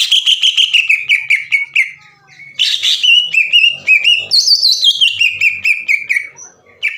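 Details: Greater green leafbird's machine-gun 'ngekek' chatter, played to stir other leafbirds into song: rapid repeated notes slowly descending, a harsh burst, then a rising whistled run that tumbles back down in quick chattering notes.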